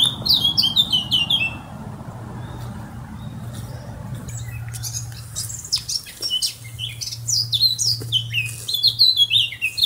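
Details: A Eurasian blackcap bursts into fast, chattering high notes, falls quiet for a few seconds, then resumes with sharp chirps and whistles over a low hum.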